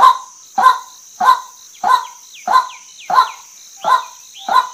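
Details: Rasping, honking notes of a female white-breasted waterhen, eight evenly spaced calls in under five seconds, with faint descending whistles between them and a steady high background whine.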